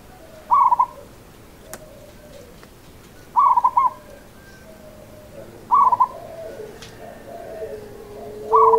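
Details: Local zebra dove song in the seni irama rhythm style. Four short, rapid stuttering coo phrases come roughly every two and a half seconds, with soft lower tones trailing after some phrases.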